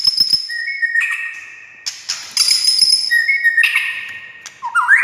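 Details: White-rumped shama (murai batu) song used to provoke silent shamas into answering: sharp clicks, then long pure whistled notes at steady pitches, some high and thin, with overlapping phrases and a rising whistle at the end.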